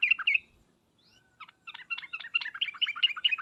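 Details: Sooty-headed bulbul trucukan and 'ngriwek uplik uplik' calls, used to make bulbuls answer: a couple of loud bright notes, a short gap, then a lively, steadily repeated series of chattering phrases to the end, in an otherwise quiet setting.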